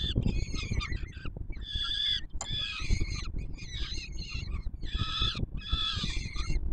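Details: Young peregrine falcons on a Warsaw Palace of Culture and Science nest, 7 July 2022, calling while the male brings food: loud drawn-out rasping screams in clustered bursts about a second long, separated by short pauses, over steady low rumble.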